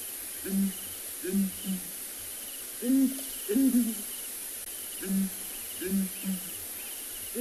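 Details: Southern Ground Hornbill breeding pair, male and female, giving a deep booming duet in the early morning at Tswalu Kalahari Reserve, South Africa; low hollow hoots in paired and tripled phrases, repeating steadily against faint hiss.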